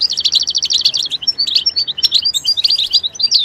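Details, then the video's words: A goldfinch in its natural environment opens with a fast, rattling trill of repeated high notes, then breaks into varied twittering chirps and short rising whistles. "soothing nature sounds of the Goldfinch"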